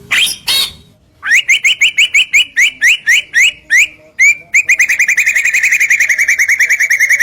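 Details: Song of a white-rumped shama, used to provoke other shamas into calling: two harsh opening notes, then a steady run of bright repeated whistled notes speeding up into a fast, even trill.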